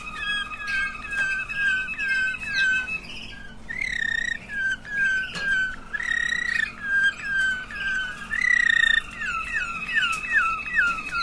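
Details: Waterslager canary song: an indoor bird delivers a steady series of repeated looping, bubbling phrases, with each brief rolling figure recurring about twice a second under a faint background hiss.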